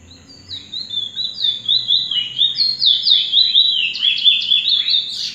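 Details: A chestnut-bellied seed-finch (Trinidad bullfinch), just out of molt and singing at night, delivers a fast, unbroken stream of high, sweeping twitters that climbs at the end, over a faint low hum.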